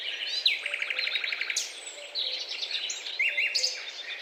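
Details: Guira cuckoos giving busy, overlapping chatter: rapid rattling runs and sharp, high whistled notes tumbling over one another, with faint background noise.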